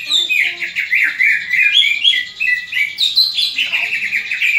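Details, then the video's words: Greater green leafbird in fighting voice, sound meant to build the fighting spirit of other leafbirds: continuous rapid warbling of bright whistled notes sliding up and down, with a sharp higher burst midway. "CUCAK IJO TARUNG INI, COCOK UNTUK MELATIH MENTAL TARUNG CUCAK IJO LAIN"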